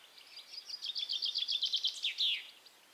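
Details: European goldfinch in song at La Croix-Tasset, Brittany, France, 13 June 2012: a bright rapid series of tinkling notes building into a fast liquid trill, ending in a buzzy downslurred note.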